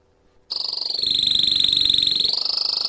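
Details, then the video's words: Canary singing to excite males and put the female into mating posture: following a moment of near silence, a loud, dense rolling trill of fast pulses holds a high, level pitch for over two seconds. "تغريد كناري لتهييج الذكور وجعل الانثى تأخذ وضعية التزاوج"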